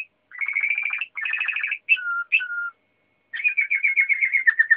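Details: Waterslager canary singing rapid bubbling trills, two lower drawn-out whistled notes, then another long rolling water-like trill.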